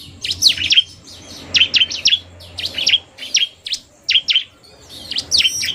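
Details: Semi-gacor bar-winged prinia, a male in narung style with a fast female: loose series of sharp high chirps, singly and in twos or threes, spaced irregularly over a faint low drone.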